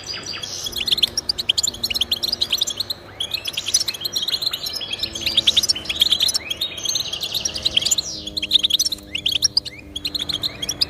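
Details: Song of European goldfinches, offered as encouragement for caged pet goldfinches to sing: continuous twittering chatter with sliding tinkly notes and buzzy trills, several voices overlapping, a faint low hum beneath.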